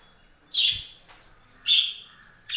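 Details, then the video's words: Pet budgies on a budgie farm give harsh, buzzy chirps that drop in pitch, two strong calls about a second apart and the start of a third, with a faint thump. "My budgies farm"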